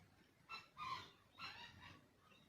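A wild rooster gives a short, hoarse crow in four clipped syllables over about a second and a half, fairly faint against a quiet background hiss.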